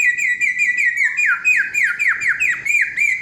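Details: Loud, clear samyong song: a steady sustained whistle breaks into a quick series of repeated downward-curving whistled notes, rhythmic and ringing throughout.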